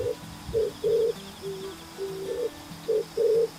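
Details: Low, mellow pigeon coos, a few brief and some drawn out, given in quick irregular succession while steady music tones play quietly underneath.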